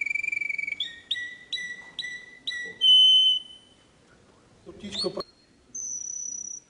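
A canary sings clear, high whistled notes, with a quick run of five repeated chirps, a long pure tone, then a sharp rising note and a final held whistle.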